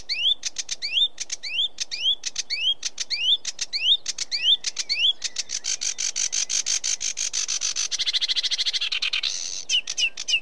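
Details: Sedge warbler repeating a clear rising whistle, each time with a short scratchy note before it. The song then breaks into a long, accelerating buzzy trill and ends with a few more whistles.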